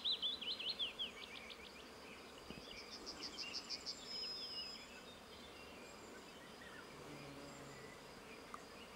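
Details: Willow warbler at Bojná, Topoľčany, Slovakia: a sweet, liquid phrase of whistled notes sliding down the scale over about a second and a half, then fainter high twittering notes over a low background hum.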